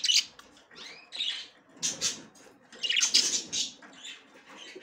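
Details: Female budgerigar trying to enter the nest for the first time, giving short harsh chirps in uneven bursts, some with bent, arching notes, separated by brief pauses.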